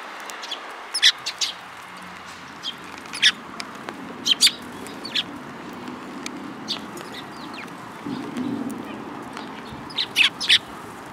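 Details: Sparrows at a bridge on the afternoon of 31 March 2022 give scattered sharp, high chirps, singly and in small clusters every second or two, over a soft background hiss.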